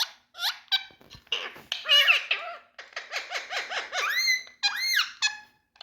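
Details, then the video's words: Big male Indian talking parrots chattering: a run of short harmonic, speech-like syllables with bending pitch, some squeaky and some lower and nasal, in quick irregular bursts with brief pauses. "Indian🌶Talking Parrots"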